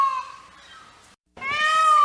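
A peafowl gives two loud, nasal, wailing cries separated by a short pause. The first trails off and the second swells and rises slightly.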